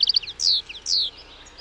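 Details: Goldfinch song fragment: a quick run of tinkling high notes followed by two drawn-out, slurred, falling twittering phrases.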